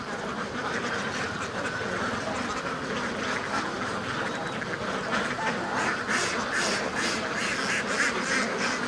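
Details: Ducks kept at a duck farm, a crowded flock giving dense, overlapping nasal quacks that run without pause, growing busier and louder in the second half.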